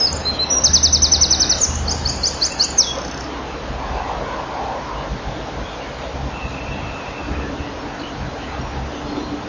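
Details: Common kingfisher at its nest, recorded 10 May 2013. A rapid two-second train of shrill, high, piercing notes, then a steady rushing background noise with a faint low hum.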